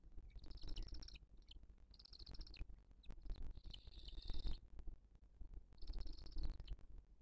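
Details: Booted eagle at the nest in 2023, mother feeding the chick: high, buzzy, drawn-out wheezing calls in bursts of about a second, separated by short pauses, against a loud low rumbling background.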